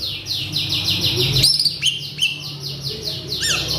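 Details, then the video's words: Agitated male Asian pied starling, described as having a full repertoire including alarm sounds, mimicry of a pempek seller, polyphonic notes, prinia calls and cockatoo talk. Rapid run of chirping notes, about two to three per second, then sharp rising whistles. "Si Jalu Emosi | Suren Ngamuk | Full Isian"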